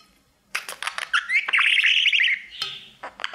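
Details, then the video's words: Pet budgerigar singing to its mirror: a busy warble of chattering clicks and buzzy notes rising into a fast, rolling trill in the middle, then more scratchy chirps. "Budgie sounds | Cookie and his Mirror singing"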